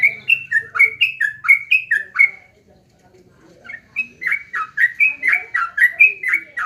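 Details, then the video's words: Sooty-headed bulbul (jogjog or trucuk) giving rapid whistled notes for two seconds, pausing briefly with a soft murmur, then resuming the same bubbly rising-and-falling phrases. "jogjog yahud trucuk trocok"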